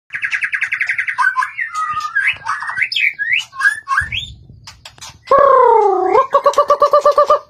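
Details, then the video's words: White-rumped shama in fired-up, competitive singing with many wild-type voices: rapid rattling trills, then fluid whistled slurs, a harsh buzzy phrase, and a quick run of repeated notes. "chòe lửa căng lửa hót nhiều giọng rừng hay"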